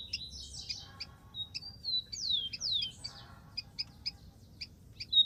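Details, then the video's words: Softer song from a rufous-collared sparrow in the wild: a jumbled twittering start, then two falling whistled notes and a string of evenly spaced high ticks, with steady low rumble. "BURUNG KICAU"SPARROW RUFOUS"(KICAU MANIA)Full Gacor di alam liar"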